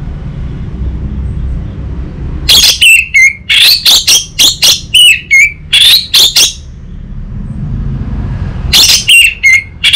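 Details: Orange-headed thrush song used to prompt and tutor untrained birds: after two quiet seconds, a run of bright, fast whistled and slurred notes with short gaps, then silence before a final lively burst.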